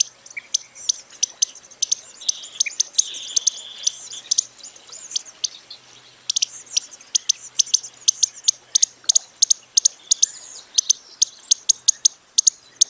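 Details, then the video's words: Costa's hummingbird uttering a steady run of thin, high, clicking chips, sometimes paired, with a brief softer twittering passage near the start. "Canto do Beija-Flor da Costa"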